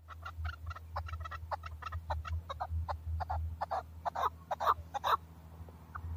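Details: Male hunting chukar partridge in Tajikistan, 2020, giving a run of rapid clucking chuck notes over a steady low hum, with the last few calls loudest.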